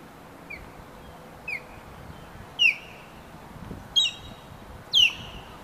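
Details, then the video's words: Female osprey guarding her nest against a person who approached too closely; thin, high descending whistles growing louder, then strong downslurred yelping cries with stacked bursts, spaced roughly a second apart, against low background hiss. "Sea Hawk Warning."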